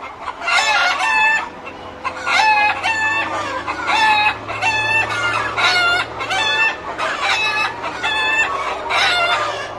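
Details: Many chickens calling loudly inside a coop: harsh, harmonic clucks and squawks in dense overlapping bursts roughly every second, several birds at once, with a steady low hum beneath.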